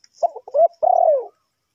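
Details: Spotted dove cooing while trapping wild birds: two stuttered short notes, a rising short coo, then a long, faintly pulsing coo that curves downward and fades.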